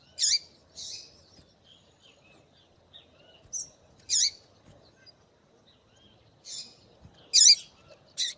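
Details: Female double-collared seedeater calling to stimulate males: about eight short high chirps scattered irregularly, several with a falling wavering tail, some softer, in quiet surroundings.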